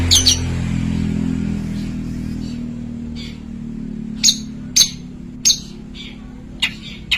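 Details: Long-tailed shrike giving sharp, harsh chattering notes in irregular bursts about every half second to second, over a low rumble of traffic.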